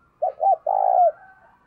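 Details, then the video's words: Decoy spotted dove cooing to lure wild doves: two short, low hooting notes followed by one longer rolling coo, with a faint thin tone trailing after. "Tiếng Chim Cu Mồi THÚC Và GÁY GỌI Bổi, Dùng Kích Bổi Rất Hiệu Quả"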